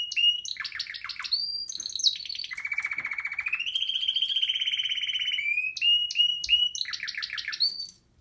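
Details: Male canary singing to his female, recorded in 2018: fast trills and buzzy rolling tours at varied pitches, including a long steady buzzing trill, interspersed with sharp rising whistles.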